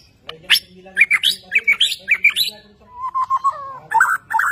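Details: Caged Borneo white-rumped shama in energetic display, singing quick sharp rising notes in a rapid series, then a run of lower fluty whistles and a final burst of varied phrases.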